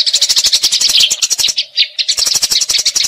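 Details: Eurasian tree sparrows in a fight, recorded as tutor audio for magpie-robins: harsh chirps in quick succession, a short pause with a few looser notes, then the dense chatter returns.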